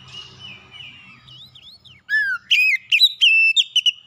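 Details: Oriental magpie-robin song for provoking a rival: quiet wavering warble first, then a descending slurred whistle and a loud rapid series of sharp whistled notes.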